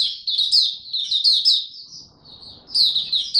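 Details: Young-sounding song of a male white-eye, still maturing, February 2022: lively high chirps in a rapid burst, a brief softer pause with low background noise, then the twittering resumes.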